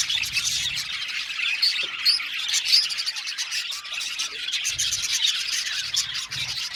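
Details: Colony of Australian budgies in an aviary, many birds chattering at once in high warbling twitters, with a few clear whistled chirps standing out near the middle of the stretch.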